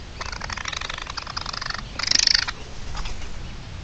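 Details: A red-legged partridge (Alectoris rufa) defends its chicks on 29 May 2023 with harsh, rasping calls in quick rapid-fire bursts, loudest in the middle, over a low background rumble throughout.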